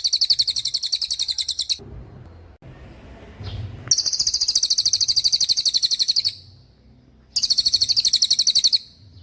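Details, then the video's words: Cililin tembakan song, a very clear, sharp training recording for white-rumped shama and other songbirds: bursts of rapid, high, ringing notes lasting about two seconds, separated by brief quiet gaps with faint low rumbles. "MASTERAN TEMBAKAN CILILIN GACOR DOR,SUPER JERNIH & TAJAM"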